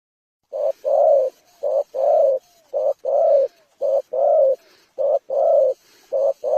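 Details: Spotted dove cooing: low hollow coos in repeated phrases of a short note followed by a longer drawn-out coo, about one phrase every 1.2 seconds, in a quiet setting.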